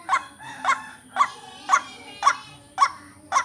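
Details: White-breasted waterhen (ruak-ruak) lure call: six harsh, nasal croaking notes, one about every half second, set against a steady high electronic whine and a faint low hum.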